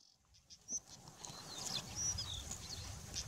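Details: White-tailed stonechats at Maldah, males and females vocalizing while displaying by fanning their tails, give a few brief, thin, high-pitched notes spaced irregularly over low wind rumble.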